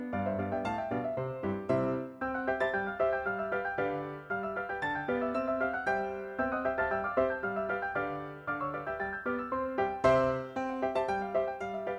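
Only gentle piano music plays, steady chords and melody with no animal voice anywhere.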